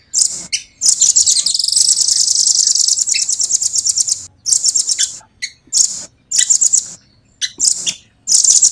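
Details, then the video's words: A velvet-fronted nuthatch delivers a long, fast, tightly packed rolling trill of high buzzy pulses lasting about three seconds, followed by a string of shorter rapid bursts. "Rambatan gacor jernih,speed rapat ngeroll panjang"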